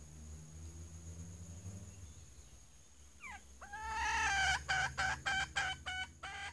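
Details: A captive decoy red junglefowl hen, still calling despite being startled, gives a few drawn-out nasal notes, then a quick run of short clucks, about three a second, over a low steady hum.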